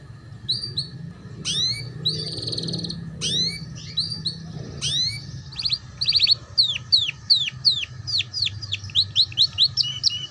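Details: Canary song played to teach young canaries ngeriwik: buzzy trills and upswept notes at first, then a fast, regular series of sharply falling whistles and rapid chips, with a low background hum.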